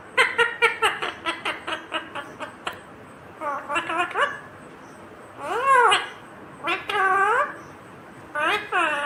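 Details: Indian ringneck parakeet, a green parrot, talking: begins with a rapid run of about a dozen clipped chattering notes, then gives drawn, arching speech-like phrases with gaps between them, indoors.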